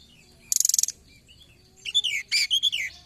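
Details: Forktail call used as a trapping lure: a brief dense high buzzy trill, a pause, then a cluster of shrill slurred whistles dropping in pitch, over low background hum.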